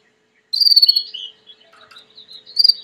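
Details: Belgian canary song: after a moment of silence, a loud high rolling trill slides slightly lower, followed by sparse chirps and a brief low warble, then another shrill trill to close.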